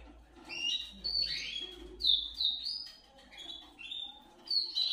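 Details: Canary singing to encourage others: scattered short whistled slides and chirps in bursts, quieter, separated by brief gaps.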